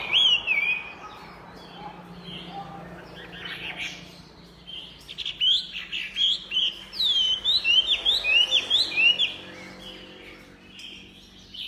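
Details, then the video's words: Chinese hwamei singing energetically: a run of loud, varied slurred whistles, first rising then dipping, followed by a quieter lull and then a dense burst of bright, looping whistled phrases in quick succession. "SUPER GACOR MANTAP SUARA KICAUANYA//Burung Hwamei"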